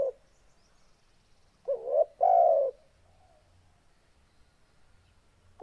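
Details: Deep, loud-voiced spotted dove: one full cooing phrase of a short note, an upslurred coo and a drawn-out low coo, with the edges of other phrases at the start and end and soft background hum.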